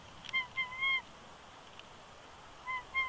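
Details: Male bald eagle at a nest at Big Bear Lake, California, filmed by a live nest camera on 20 January 2020, whining as his mate coaxes him off the eggs: short, thin, level whistled whines in two clusters.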